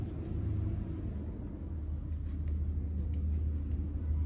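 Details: Low, steady outdoor rumble like distant traffic, with a thin constant high tone and no animal calls.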